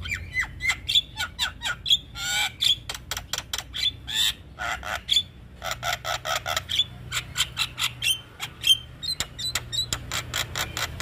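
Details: Javan myna singing in a training recording for caged birds: long dense series of harsh rasping notes and short clicks interspersed with sharp whistles, fairly regular, continuing for over ten seconds.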